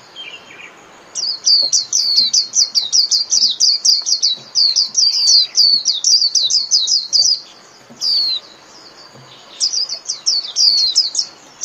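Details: Japanese white-eye singing in the lively 'líu' style used for training caged birds: rapid high, thin twittering notes in dense bursts, a short pause near eight seconds, then the fast chatter resumes.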